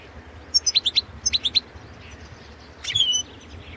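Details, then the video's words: Caged Balkan European goldfinch, Carduelis carduelis balcanica, recorded for a 2017 world goldfinch song championship in Serbia; two quick runs of four sharp, high tinkling notes, then a longer buzzy trilled phrase ending in a thin whistle. "Pesma štiglića 012/ 2017 Potić Sanja World championship in Goldfinch Song 2017"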